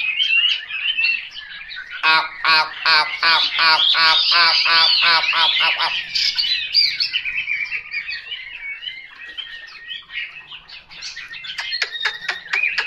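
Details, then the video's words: Selected hwamei starts with a soft warble, then bursts into about ten loud, regularly repeated full-toned notes, followed by flowing high whistled phrases and a few sharp closing notes. "Họa mi tuyển chọn"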